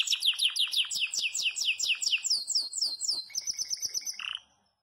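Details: Campainha-style song from a yellow Belgian canary in full voice. A long run of quick, downward-sweeping notes is followed by a higher, finer trill, then the song stops abruptly into silence.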